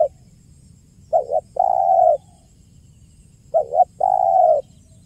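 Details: Spotted dove 'kuk 1' lure call: the tail of one coo, then two complete phrases about two and a half seconds apart, each two quick notes leading into a prolonged smooth coo over quiet background hum.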